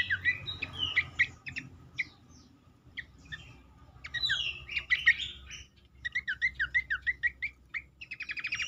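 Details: A shortwing (cingcoang) sings a lively run of sweet whistled notes and slurred phrases, ending in fast repeated chips and a brief trill; the recording is used as a lure to make other birds sing more readily.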